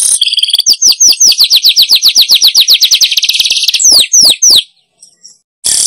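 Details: Wild weavers are drawn by this lure: steady, fast, repeated downslurred chirps about four per second, then a few louder sweeping notes, a pause and a short buzzy burst.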